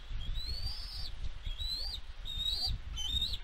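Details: Bald eagle mother at the West End nest, 4 July 2022, calling while defending her eaglet against an intruding fledgling; four thin, high whistled notes that swell and slur upward, separated by short gaps, over low wind noise.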